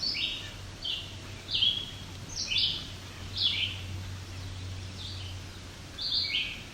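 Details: Red-eyed Vireo singing on rocky alvar near Cape Chin North, Bruce Peninsula, Ontario, on 17 July 2019, in summer: short, slurred, high phrases, some rising and some falling, spaced about a second apart, over a steady low hum.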